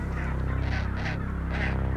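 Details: A gentoo penguin at its Antarctic breeding colony at the start of nesting, December 2024, gives a loud, low, braying trumpet of rapid harsh pulses swelling and fading over two seconds; such trumpeting builds pair bonds.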